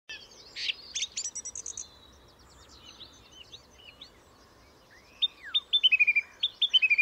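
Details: Song thrush song: after faint background chirps from other birds, a loud series of sharp high notes repeated in quick groups, each phrase said several times over.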